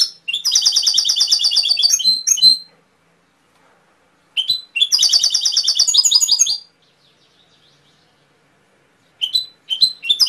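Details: Canary repeating two bursts of quick, buzzy high trills, each around two seconds long and separated by quiet pauses, then a few scattered sharp chirps.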